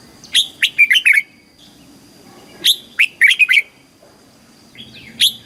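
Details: Song of a red-whiskered bulbul in the southern master style, meant to rouse caged birds and train young birds; sharp, swooping whistled notes in quick clusters, two main phrases with a softer note near the end.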